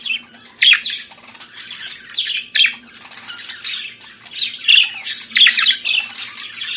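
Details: Budgerigar singing in the morning, kept as a pet bird: busy warbling chatter of scratchy squawks and short chirps in bursts, with a faint low hum underneath.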